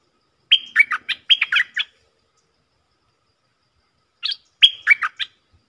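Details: Decoy song of a stripe-throated bulbul: a fast phrase of chirpy, dropping whistled notes, then a gap of about two seconds and a shorter repeat of the same opening.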